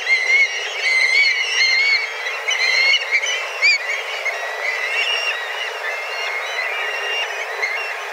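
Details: Dozens of black kites flying together and calling fiercely in search of food, arriving at the same time each day; a dense chorus of drawn-out whistled mewing notes, overlapping constantly, with a few louder sharp calls.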